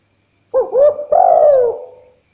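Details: Spotted dove call recorded at night for luring birds: a quick pair of soft coos leads into a drawn-out, slightly rough note that slowly drops and fades, with nothing else audible.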